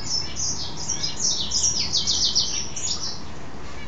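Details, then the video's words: Goldfinch hybrid, a male mule, singing after a bath; a busy run of high twittering chirps and swept notes, dense in the middle and tapering toward the end. "Mule Goldfinch happy hour"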